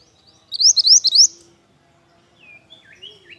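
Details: Pied bush chat singing energetically: one fast run of four or five sharp, high, upward-sweeping whistles, followed by a few softer, lower slurred notes and a quiet pause.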